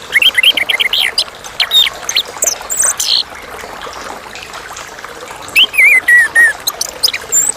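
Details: Chestnut-capped thrush, known locally as anis kembang, singing clearly: quick runs of sharp, varied whistled notes and slurred phrases in bursts, pausing between groups, ending in a series of descending, wavering whistles, with a soft trickling background.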